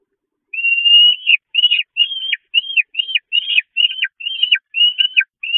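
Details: Young Peregrine falcons at the Catharinakerk church nest, 5 May 2021, going to bed with empty crops and attacking their mother: one longer whine followed by a rapid series of about ten short, down-slurred squealing notes.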